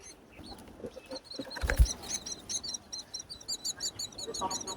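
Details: Mother myna feeding her hungry chicks at a palm-tree nest in the wild breeding season; a loud thump near the start, then rapid high, scratchy cheeps repeat without pause.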